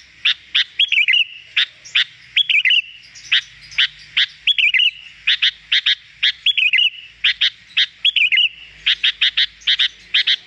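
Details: Lively sooty-headed bulbul (kutilang) used to lure wild birds: crisp single chirps alternate with short, rolling, bubbly warbled phrases, repeated steadily throughout against a quiet backdrop.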